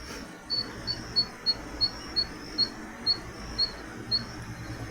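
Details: Dwarf Tinamou, a secretive bird of the Brazilian cerrado and caatinga (Bahia, Goiás, Minas Gerais), gives its discreet, insect-like call: about eleven thin, very high chips, two to three per second, over a soft hiss.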